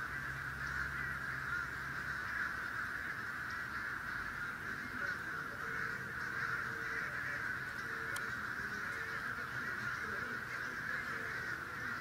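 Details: Thousands of crows in a huge passing flock: a continuous dense wash of overlapping cawing holds steady throughout, with a faint low hum beneath and a brief sharp click partway through.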